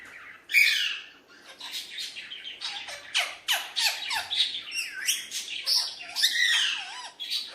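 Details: Hand-tame Alexandrine parakeet playing with a mirror, one loud screech then a busy stream of rasping chatter notes and curved whistled slides, several per second, close indoors.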